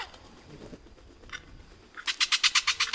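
An oropendola gives a quick burst of about eight harsh, rattling notes at the end, after a quiet stretch with only faint background hiss.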